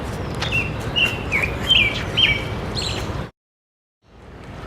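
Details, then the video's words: American robin up in a tree in the Ramble, Central Park, calling for a mate: short whistled, slurred phrases, roughly two a second, over steady outdoor rumble before the sound briefly cuts out. "As you may hear, there is a robin up above in that tree over there, calling for a mate."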